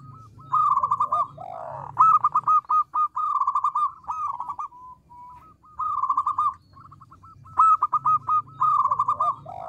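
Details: Local zebra dove singing actively with a small but loud voice, meant to draw replies: bursts of rapid stuttered coos near one pitch, three main phrases separated by short pauses, with faint lower descending notes.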